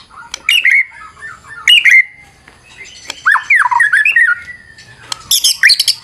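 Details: Fighter White-rumped shama giving a varied lure song: scattered sharp chips and harsh bursts, a long wavering whistled phrase in the middle, ending in a dense high rattle.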